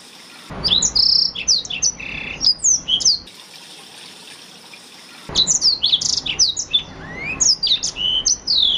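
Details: Blackthroat song for training canaries: a rapid high twittering phrase with buzzy notes, a pause of about two seconds, then a second phrase of slurred whistles, one rising sweep and sharp chips.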